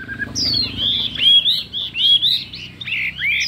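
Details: Chinese hwamei in a singing contest: a short low whistle, then long sliding whistles that fall and rise, with a few sharp clicks between phrases.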